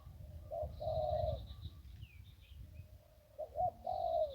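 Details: Ping riverside zebra dove in one-kuk singing style: two purring coo phrases separated by a pause, over a low rumble of background noise and faint high bird notes.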